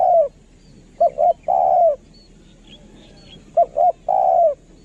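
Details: Spotted dove kept as a luring decoy, valued for its calling. Two phrases are heard, each a quick pair of coos ending in a long, smooth, falling coo. Faint thin chirps of other birds sound between them.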